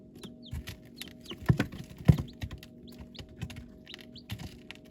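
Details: Young chicks make quick, high, descending peeps, a few per second, amid loud knocking and pecking taps close by.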